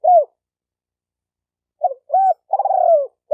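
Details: Spotted dove calling to stimulate males and females; a falling hoot, then a brief stutter, a clear arched coo and a long vibrating trill that slides downward, on a silent background.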